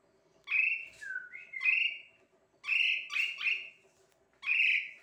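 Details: Asian pied starling song of loud, slurred whistles, one falling to a lower tone, delivered in clusters of two or three notes with gaps, over a faint constant low hum.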